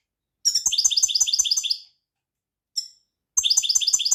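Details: European goldfinch delivering rapid trilled twitters, a run of evenly repeated high notes for over a second, a single short note after a pause, then the trill resumes.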